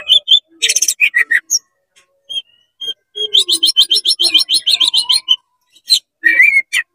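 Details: Worked-up oriental magpie-robin spreading its tail and singing to rile other magpie-robins: scratchy bursts and whistles, then a long fast rattling trill of repeated high notes, ending in slurred whistles.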